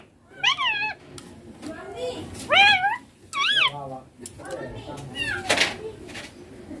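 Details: Green Indian ringneck parakeet talking, said to be saying "papa" and "mummy": several loud, nasal, wavering syllables in quick bursts, each rising then falling, with quiet room noise between.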